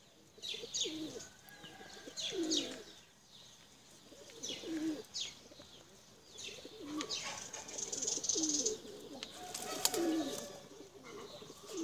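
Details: Tumbler pigeons, including blue birds, flown in a flock. Repeated low, throaty coos come in irregular bursts, with higher chirps, scratchy notes and brief wing or handling noises mixed in.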